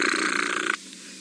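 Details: Oxpeckers give a harsh, hissing, rattled churr in alarm, apparently reacting to lionesses stalking a buffalo on a morning drive, 1 June 2017, Djuma Game Reserve area, lasting under a second before quiet background hum.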